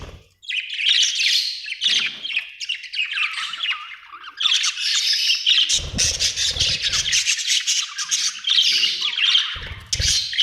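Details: Budgerigar giving long runs of scratchy warbled chirping, dense and rapid, with a few low thumps and knocks underneath.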